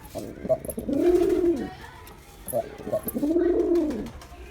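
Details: Two matching rounded coos from a performing male Girabaj pigeon, each introduced by short clipped notes, repeated about every two and a half seconds.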